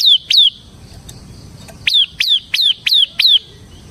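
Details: Ciblek semi, or bar-winged prinia, singing steadily as a lure and tutor for captive prinias. A pair of thin, descending chip notes, then after a gap a run of six similar piercing notes in quick succession.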